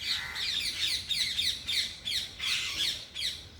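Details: Noisy parrots calling naturally: a quick, uneven chatter of scratchy chirps, nearly three per second, loud throughout with brief dips.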